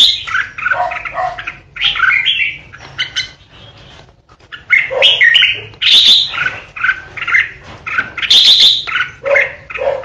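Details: Red-whiskered bulbul, a kept decoy bird, sings ché-style: bubbly rising and falling warbled notes, a quiet pause in the middle, then loud sharp, high, ringing phrases.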